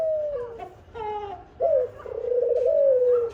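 A dove gives soft, low, moaning coos: a few drawn-out notes that slide gently downward, heard close up in a quiet room.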